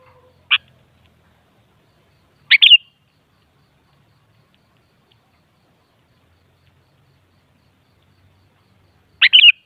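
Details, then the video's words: Sooty-headed bulbul call played to coax a bulbul into singing back: a lone sharp downward sweep, then two short bubbly phrases ending in a whistled tail, spaced several seconds apart in a quiet setting. "Suara Burung Kutilang Coba Putar Saja Pasti Bunyi Jadikan Kutilang Gacor Nyaut"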